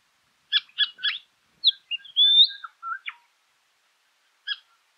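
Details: In South Australian scrub at Meningie East on 1 August 2021, a Southern Scrub-Robin gives three sharp chirps, then a phrase of bright rising whistles and a falling note; one more chirp follows after a pause.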